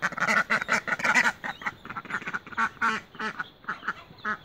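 A mallard gives a rapid run of nasal, raspy quacks, several per second, easing into slower, spaced quacks toward the end.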